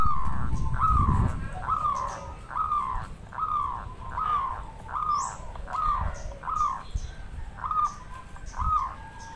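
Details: Local zebra dove, as a lure recording, sings a string of soft, arched cooing notes, repeated a little more than once a second.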